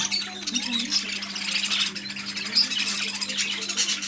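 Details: Newly arrived budgerigars in a shop chatter together in a dense, high, scratchy warble, with squawks overlapping continuously and a steady low electrical hum underneath.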